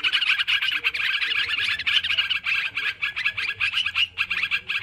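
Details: Agitated sooty-headed bulbul flock used for luring birds, pouring out rapid overlapping chirps in pulsing bursts, with faint low hum in the background.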